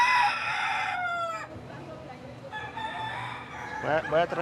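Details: Gamecock kept in a flat above a barber shop in Panama, crowing: a loud, harmonically rich drawn-out note sliding slightly downward and ending abruptly, then a fainter tonal phrase, followed by close human speech.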